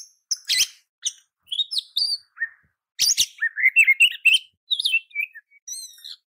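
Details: Training song of the oriental magpie-robin, known as kacer, played so other birds answer: scattered harsh chatters and short whistles, then a dense run of warbled notes tapering into thin high whistles.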